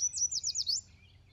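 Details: Yellow Warbler in spring at Jacobs Creek Wetlands or Green Lick Run, Fayette County, sings a quick run of bright, high, slurred notes ("sweet sweet I'm so sweet"), about five in under a second, trailing into quiet.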